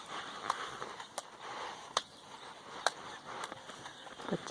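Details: Irregular crunching footsteps and scattered clicks over a steady outdoor hiss, with no animal voice standing out.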